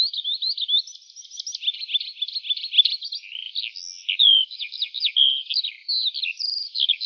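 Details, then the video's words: Eurasian skylark pouring out its song in the morning as it rises high overhead, a ceaseless, hurried chatter of buzzy trills, sharp chirps and brief clear whistles, with no other sound. "Жайворонок Голос Ранку"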